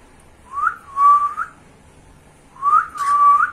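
A cockatiel gives two clear whistled phrases, each rising, then holding steady before a short upward flick.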